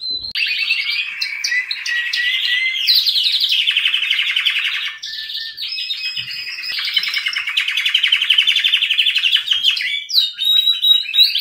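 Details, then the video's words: Canary delivering a sustained bright song of rapid rolling trills and chattering phrases, steady and loud throughout, ending in sharper high notes. "Best Canary Singing '''Kanarienvogelgesang."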